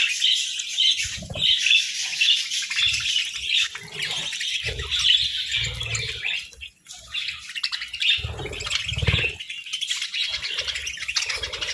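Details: Budgerigars sunbathing, giving a dense, continuous warbling chatter of rapid scratchy chirps and squawks, with short breaks and low dull thumps underneath.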